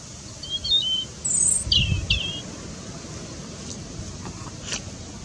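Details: A European robin sings in the winter sun at Stodmarsh Nature Reserve, giving a few thin, high, warbling phrases with quick sweeping notes, over a low background rumble of distant traffic.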